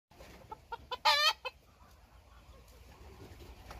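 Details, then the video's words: Bantam chicken, bored and wanting to get out: a few short soft clucks, then one loud, harsh, harmonic squawk lasting about a quarter second, followed by a final cluck over quiet background hiss. "He's Bored Now He Wants Out - Qaib Dib Bantam"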